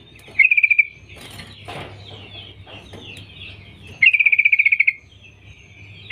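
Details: Female sooty-headed bulbul calling males: short rapid runs of eight to twelve clipped, bright notes delivered in a fast rattle, separated by a few seconds of softer background chatter and low hum.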